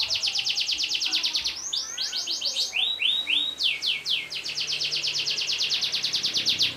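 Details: Canary long-rolling song meant to encourage other birds to sing: long fast high trills broken by rising and falling sweeps, then a lengthy rapid roll of repeated notes.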